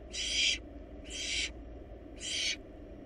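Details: Barn owl chicks, wild, in a monitored nest box while swallowing a large rabbit, give three soft, rasping hisses, each about half a second, spaced roughly one second apart.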